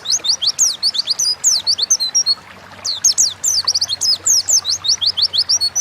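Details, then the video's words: Pleci, the Oriental white-eye, singing 'gacor ngalas' style as a tutoring lure for caged songbirds; quick bursts of thin, high, chirpy slurred notes, a brief pause midway, then another dense, excited run. "Burung pleci gacor ngalas pancingan bahan agar cepat bunyi"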